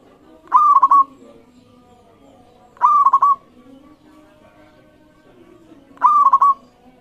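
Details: Local zebra dove song as a lure for other singing birds: three identical cooing phrases, each a long note breaking into rapid rolling notes, repeated roughly every two and a half to three seconds.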